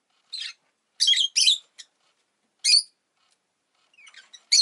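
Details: Harsh, high chirping from a pet rosy-faced lovebird after laying an egg: quick doubled bursts, then single calls and softer twittering toward the end.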